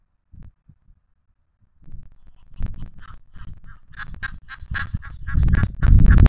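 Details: Egyptian geese at a stork nest at Gevattersee near Meissen, holding sway over the storks: a rapid series of harsh, nasal honks, about four a second, building louder toward the end over low rumbling wind noise.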